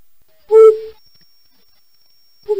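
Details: A flammulated owl, a reddish, insect-eating cavity nester among Idaho's owls, gives a low, soft single hoot, followed two seconds later by the start of another; otherwise quiet.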